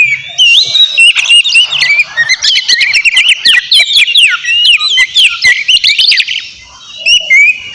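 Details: Oriental magpie-robin in full, noisy song used as a lure to make a rival answer: rapid, varied whistled phrases with sharp slurred notes and chattering bursts, about four per second, continuous for nearly seven seconds before a brief pause.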